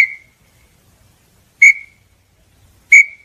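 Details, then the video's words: Small-billed tinamou singing: loud, clear whistled notes with a sharp start, spaced a little over a second apart, against a silent background. "canto da INHAMBU-CHORORÓ"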